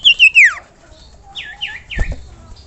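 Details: Common iora masteran recording: a loud brief fluttering whistle sliding downward, followed by three softer, evenly spaced down-slurred notes and a low thump.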